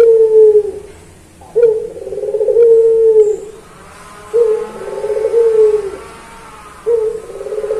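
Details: Puter pelung Barbary dove singing as a master recording for trainee doves. Repeated long, deep coos about every three seconds, each opening sharply, holding, then falling away.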